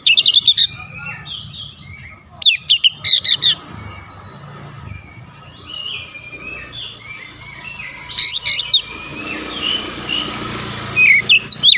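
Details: Oriental magpie-robin "nembak" shooting song with repertoire: short bursts of sharp, high chips every few seconds, separated by quieter warbled whistles over a rustling background.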